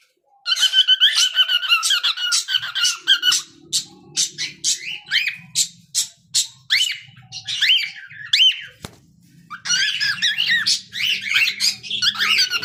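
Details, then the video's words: Cockatiel chick kept as a pet, singing a warbling run of quick chirps and rising and falling whistled notes, repeated in bursts with short pauses, bright and high, with a faint low hum underneath. "Adorable Cockatiel Chicky's Cute Singing Moments"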